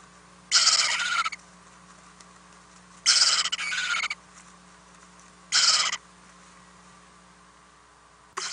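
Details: Owlets fed overnight in a nest house on 4-10-2018; spaced raspy hissing bursts, three clear ones about two and a half seconds apart, with a low steady hum throughout.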